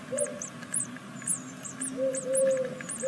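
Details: Great tit chicks of a second brood, sixth day, in a nest in Veszprém, Hungary: bursts of high, thin, arched begging notes over a low, drawn-out hooting tone.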